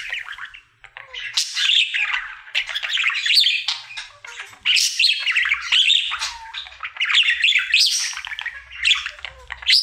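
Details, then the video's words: Happy male budgie kept as a pet, in its daily singing session; fast buzzy babble of chirps, squeaks and grating notes in long phrases separated by short quiet gaps. "Budgie singing for 1 Hour Happy song!"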